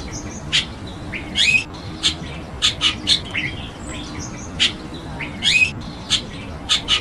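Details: Chestnut-tailed starling, also called grey-headed starling: a busy run of short, harsh, broadband chirps and squawks, some with rising whistled tails, coming every half second or so, with fainter whistles from other birds behind.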